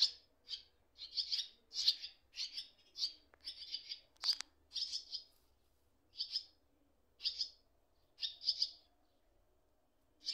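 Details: Nest of baby swallows, a parent darting in quickly while the other sits on cables; high, raspy chirp bursts, clustered at first, then spaced a second or so apart, with a faint click.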